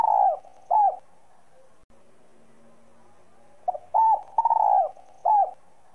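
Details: Spotted dove cooing in the 'giọng son' voice style, a call played to stimulate other doves: two bursts of mellow, slightly downslurred coos, a short then a longer note with a pause between, then a quiet gap.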